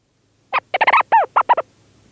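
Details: Leach's storm petrel calling from inside its burrow at St Lazar, recorded close up: a rapid stuttering burst of about eight chuckling, harmonic notes, some arching downward, lasting just over a second against silence.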